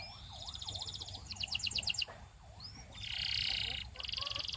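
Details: Belgian canary singing: bright buzzy trills and rapid repeated notes high in pitch, then a sustained rolling trill, over a lower repeated swooping wavering sound and a steady low hum.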